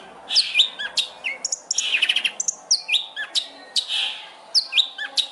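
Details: Long-tailed shrike master song for competition training, a lively mix of short high chirps, squeaky slurred whistles and brief buzzy bursts, irregularly spaced with small gaps.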